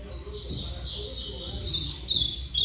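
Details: Ultramarine grosbeak producing a sustained, slightly wavering whistled line that swells louder toward the end, over steady low background rumble.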